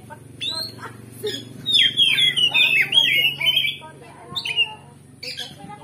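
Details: Oriental magpie-robin provoking song, loud and continuous (gacor ngeplong), played to make other kacer fight back: soft notes, then a dense two-second torrent of warbled whistles, ending in a few brief chirps.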